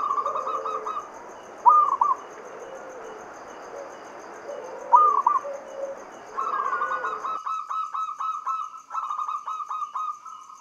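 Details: Zebra dove, local Javanese bird, sings a lure song to stimulate other doves: brief clipped trill bursts early, then a long stuttering series of rapid cooed notes toward the end, a lower dove murmuring along.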